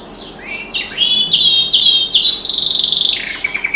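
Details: Canary kept as a pet sings beside a window with other birds outside; a fast sequence of high rising whistles merging into bright, rapid rolling trills.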